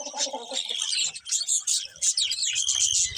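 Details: Colourful budgies give rapid high chirps and squeaky warbles, with some lower chattering notes at the start and a low rattling sound near the end.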